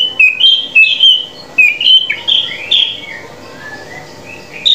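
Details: Drongo whistling, used to coach caged birds into singing: short bright whistled phrases in bursts about once a second, some notes sliding down, separated by brief quiet gaps.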